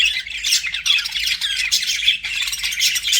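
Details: Several budgies chatter busily, mixing raspy squawks with quick high chirps and short whistled notes in a continuous, overlapping jumble.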